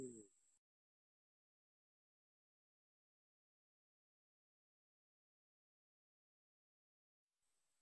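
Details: Near silence throughout, with only a brief burst of noise at the start and a faint hiss at the end; no animal voice is heard.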